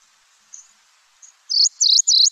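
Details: MacGillivray's warbler song at Lake Tahoe: after two faint high ticks, four loud, slurred, buzzy notes in quick succession, high-pitched and slightly falling; its slurry quality helps tell it from similar species.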